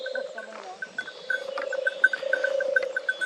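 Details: A European turtle dove at Ploufragan, France, in May 2023 gives its low, continuous purring song, while quick, higher, repeated notes from another bird and faint voices come through.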